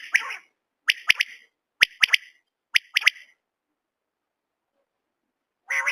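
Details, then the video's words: Common quail calling a sharp, liquid three-note 'whit, whit-it', repeated three times about a second apart, then a pause before another burst. "Common quail sounds"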